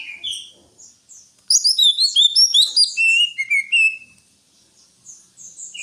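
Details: Greater green leafbird with soft high whistles, then a loud two-second burst of tumbling chirps and slurred descending notes, fading back into quiet thin whistles.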